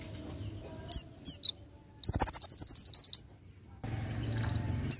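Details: Oriental white-eye in ngalas nembak style for tutoring other birds: three scattered high chirps, then a fast, even machine-gun series of about fourteen sharp notes, ending in a single high call.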